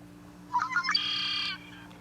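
Male Red-winged Blackbird giving its song: a few quick rising gurgled notes, then a rich, buzzy trill held for about half a second, over a faint low hum.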